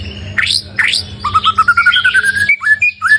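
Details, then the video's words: White-rumped shama that has gone through one moult, singing: two sharp rising whistled sweeps, then a fast run of clear even notes, then short sliding whistles. A steady low electrical hum runs beneath. "Choè lửa 1 mùa lông hót cực hay , nghe là hót 100%"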